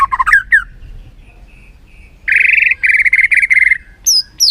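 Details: Excitement lure featuring a white-rumped shama: warbling opening notes, a soft pause with faint whistles, then a loud burst of rapid, rolling trills, ending in two high, sharp notes.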